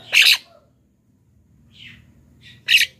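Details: Lure calls of a black-winged myna meant to draw in wild birds: loud raspy screeches at the start and end, with a softer buzzy note between, over a quiet background.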